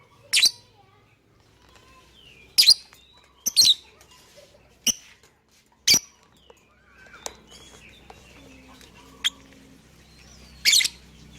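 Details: Lovebird lure sound meant to make other birds sing along: scattered sharp squeaky chirps, some doubled, with faint softer twitters between and a low hum.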